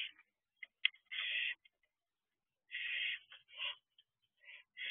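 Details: Barn owl inside an owl box at night, 2 June 2023, an owlet about two months old: drawn-out raspy screeches mixed with shorter harsh hisses and clicking chatter, irregularly spaced with brief silent pauses.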